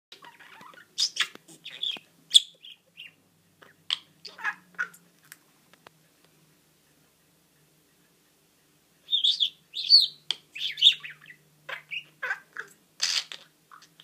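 A budgerigar rambles in bursts of high, scratchy chirps, squeaks and warbled chatter.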